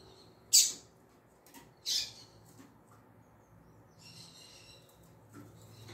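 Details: Female coleiro, the double-collared seedeater, sounding tui tui zel zel calls: two piercing high chips near the start, then a softer, fluttering high trill, with a low hum behind.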